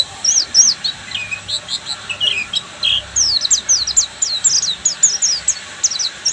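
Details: Buxtomi-type Oriental white-eye in full ngeriwik song, pouring out rapid high twitters and quick downslurred chirps in tight clusters with barely any pause between phrases.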